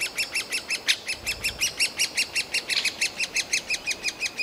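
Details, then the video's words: Noisy fledgling great spotted woodpecker chicks begging from the nest hole to be fed, forest park in Yekaterinburg, 28 June 2018, just before leaving the nest; rapid, regular series of short harsh chattering notes, roughly six per second, continuing throughout. "Дятел кормит крикливых птенцов, woodpecker feeds chicks"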